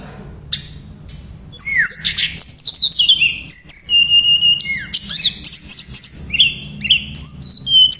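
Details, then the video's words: Shortwing (tledekan pring), in an active song style with 'nembak' and 'ngerol' passages: after a quiet start, a rapid run of varied high whistles, slurred and stepped notes and sharp chips, with a faint low hum beneath. "Terapi BURUNG TLEDEKAN PRING gacor nembak dan ngerol"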